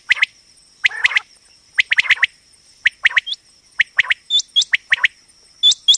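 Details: Common quail (Coturnix coturnix), described as a female quail voice used as a hunting and trapping lure, giving short, sharp chirping notes in loose clusters about once a second, some ending in a quick upturned whistle, over a faint high whine.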